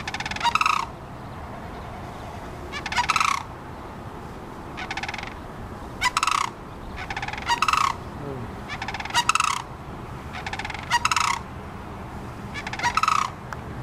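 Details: A crane at Potter's Marsh in Alaska calling, apparently to its mate: short rolling, trumpeting rattles about half a second long, given every one to two seconds with pauses, over constant low background noise.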